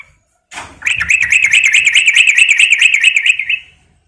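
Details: Female sooty-headed bulbul, calling to attract a male, opens with a short sweep into a long, fast, rattling trill lasting nearly three seconds at an even pitch.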